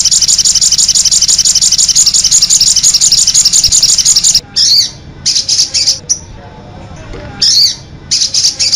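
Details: ['Little spiderhunter (sogok ontong) lure and tutor recording in the konin-song version, made to prompt birds to answer; a high, rapid run of repeated sharp notes for four seconds, then short separate bursts with brief gaps.']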